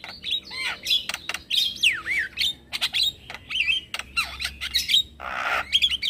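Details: Male Javan myna giving a lure call meant to make other mynas and starlings answer: loud varied whistles, sweeping slurred notes and harsh squawks mixed with sharp clicks, delivered in rapid bursts with brief pauses.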